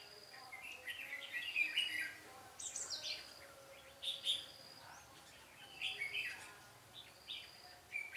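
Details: Red-whiskered bulbuls in a singing duel while being trapped, 13 March 2017, a decoy bird luring others; bright, quick warbling phrases that rise and fall, coming in bursts about every one to two seconds.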